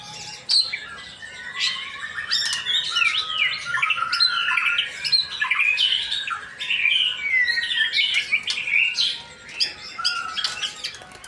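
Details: Male white-rumped shama from Indonesia pouring out a long, continuous medley of rich whistles, twangy slurs and rattling trills with frequent sharp clicks mixed in.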